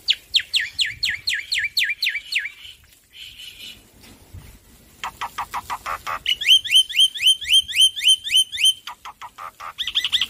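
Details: Loud, prolific male black-winged myna singing as training audio for stressed birds: fast repeated downslurred whistles, a brief buzzy pause, then strings of sharp rising notes and rapid chirp trills repeated about four times a second.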